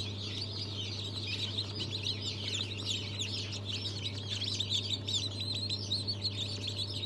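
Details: Crowd of newly hatched chicks of Brahma, Fizan, Australorp and Legbar breeds, 3 March 2023: thick overlapping peeping chorus with no pauses, set against a heavy low electrical hum.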